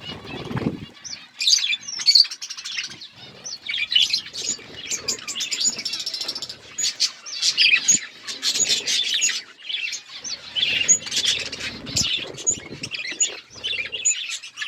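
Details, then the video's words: Flock of budgerigars chirping: a steady, busy wash of high twittering and warbled chatter from many birds, with clicks and short low bumps, for about fifteen seconds. "Budgies flocks birds chirping sounds"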